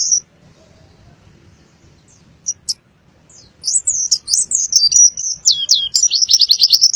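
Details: Caged white-eye from Boyolali singing a full-filled song, opening with a faint squeak, then a rapid run of high, thin twittering notes building into a fast, rolling trill near the end.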